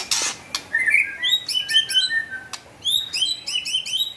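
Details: Murai batu, the white-rumped shama, in lively gacor song: a broadband clatter at the start, then a dense stream of varied high chirps and whistled notes in bursts separated by brief gaps.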